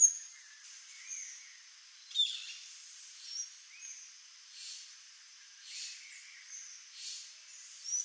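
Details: A pair of Swallow tanagers gives high, thin, sharp call notes, scattered irregularly every couple of seconds, over a steady high hiss.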